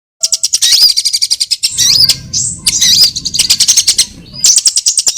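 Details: Sunbirds of several kinds, used as a lure for trapping birds: rapid, very high ticking notes in quick bursts mixed with sharp twittering chirps and short sweeping whistles, with a low rumbling hum underneath in the middle section.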